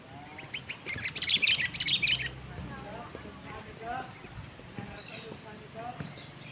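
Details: Sooty-headed bulbul; song; competing against a rival bird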